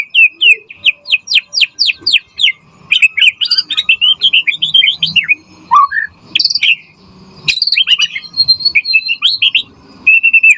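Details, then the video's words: White-rumped shama, caged, used as a tutor bird for training, singing a loud varied song: rapid series of downward-sweeping high whistles, then jumbled chattering notes, a low slurred phrase and clear sustained whistles. "Pancingan Murai Batu Gacor Auto NYAUT cepat RESPON Buat Masteran Burung Murai Agar Gacor Full Isian"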